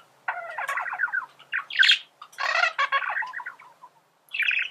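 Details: Male budgerigar (Melopsittacus undulatus) warble song: rapid, chattering bursts of scratchy, buzzy notes with a few sharp higher squeaks, pausing briefly between phrases.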